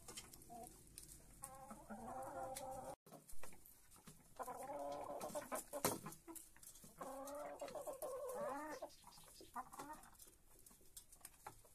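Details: Domestic hens waking at first light in a henhouse and heading to the feeder to peck at grain; drawn-out, wavering clucks and croaky calls repeat across the recording over pecking and scratching clicks.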